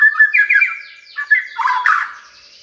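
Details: Song of a magpie-robin meant to coax a quiet bird into frequent singing: a short string of fluid, warbling whistles that rise and fall, ending in a burry, rougher phrase.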